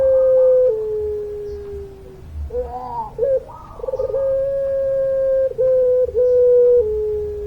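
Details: Sustained coos of a puter pelung (Barbary dove): a held low note sliding down, a bubbling, rolling interlude, then a long level coo broken by two brief dips before it falls away.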